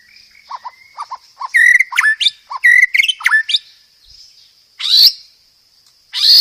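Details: White-rumped shama master song for training caged birds, with many filler phrases: low short notes, loud sharp whistles and clipped high calls, then two harsh rasping bursts.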